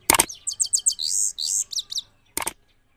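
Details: Trained Himalayan goldfinch from Parachinar, kept in Kabul, Afghanistan, singing in 2022: quick run of bright high twittering notes and buzzy trills, bracketed by two sharp broadband clicks.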